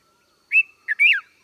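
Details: A single quick phrase from a red-vented bulbul: a clear whistled note, a brief lower chirp, then a longer bubbly note that rises and slurs downward, in a quiet setting.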